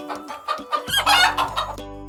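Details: A farm hen gives a few short, rough clucks in quick bursts over steady musical backing.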